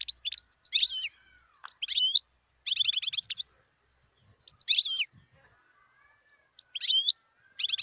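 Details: Wild European goldfinch in 2018 sings short separated phrases of sharp chirps and buzzy trills, each about half a second long, spaced by pauses of roughly one second.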